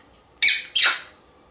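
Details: Male pet African grey parrot, hatched in 1997, kept at home in Texas: two short, harsh, bright squawks about a third of a second apart, the second trailing downward, in a quiet indoor room.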